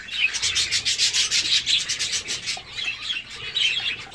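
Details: Courting Gouldian finch giving a hissing, buzzy, rasping song of rhythmic pulses about five per second, high-pitched and breathy, with a short pause before the buzzing resumes more softly.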